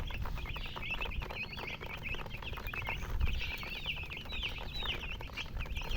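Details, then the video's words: A crowd of baby chicks giving shrill, quick descending cheeps in overlapping bursts, with a brief pause partway through, over low rumbling background noise. "MURGI Baby "Chicks Chirping" Sound"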